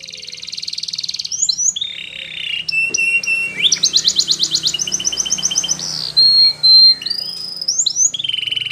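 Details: Belgian canary singing as training for young canaries: high sustained trills, scattered chirps and a buzzy rattling section, then steady pure whistled tones, over a low background hum and faint hiss.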